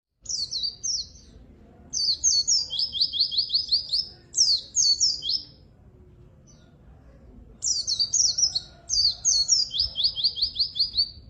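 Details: White-eye singing actively, offered as a lure and master song for white-eyes that rarely sing: high, rapid twittering phrases, several ending in a fast descending trill of repeated notes, in bursts separated by short pauses.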